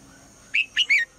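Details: A female red-whiskered bulbul's morning call to stir the male into song: one quick phrase of three sweet whistled notes, the last slurring downward.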